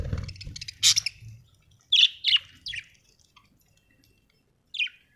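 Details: Happy budgerigar, an Australian bird, giving a few short bright chirps in quick clusters, then a pause and one more sharp chirp near the end; a faint low rumble at the start.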